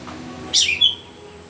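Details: Myzomela observed on 25 December 2022 in unedited research footage, giving a quick bright burst of two shrill, high chirps, the second a thin, sharp whistle, with a faint constant high hum behind.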